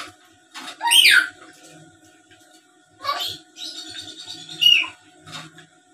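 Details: Chattering black-capped lory, recorded as a lure to make other lories reply: harsh downward-sweeping screeches and a buzzy rasping stretch, in three bursts over six seconds in a small quiet room.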